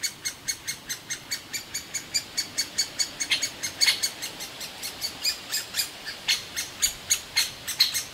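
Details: Great spotted woodpecker chicks in their nest hole in a big old aspen, begging loudly without pause as the parents feed them; a long fast train of sharp high chirps, some louder bursts midway.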